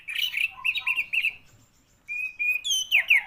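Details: Orange-headed thrush giving a short run of wavering, looping whistles repeated several times. After a brief silence come level whistled notes and a falling, slurred flourish.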